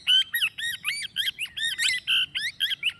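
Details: Rapid series of shrill, ringing plum-headed parakeet notes, each rising then falling, delivered about four per second with steady loudness and little else audible.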